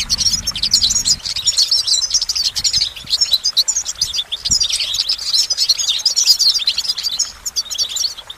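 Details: A goldfinch sings a long, unbroken stream of bright, high twittering and liquid trills, fast and jumbled, with a soft low rumble at the very start.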